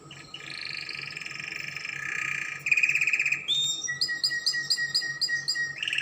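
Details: Spanish Timbrado canary song for tutoring young birds; a soft sustained trill swells into a loud rattling burst, then a string of short clear whistled notes, about two per second, over a faint hum.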